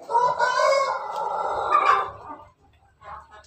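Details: Pelung chicken, a household rooster recorded 17 May 2024, giving a laughing-style crow: one loud, drawn-out harmonic crow of about two and a half seconds that wavers slightly, then cuts off, followed by a short faint call.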